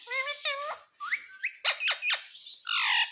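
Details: Talking pet parrot that says mitthu and mummy, heard indoors; a run of nasal voice-like syllables, sharp upward squawks and short clipped notes, ending in a harsh drawn-out squawk.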